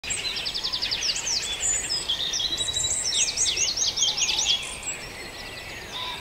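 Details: Dawn chorus of several birds at Farndale: high rapid trills and bouncing looped whistles overlap, with a fast buzzy rattle early and a long run of wavy warbled notes through the middle.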